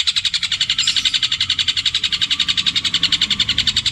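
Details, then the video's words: Long-tailed shrike imitating other birds in long repeated petir-style phrases. Here it gives a fast, very even trill of buzzy high notes, close to four per second, held steadily throughout. "CENDET INI MUNTAHKAN TENGKEK BUTO KUNTILANAK GREJA NYERET PETIR KW PANJANG2 DAN DIULANG2!"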